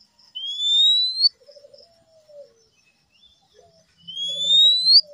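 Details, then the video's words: Male oriental magpie-robin gives two long, loud upslurred whistles about four seconds apart, each followed by a low stuttering warble that dips downward. "siulan kacer jantan"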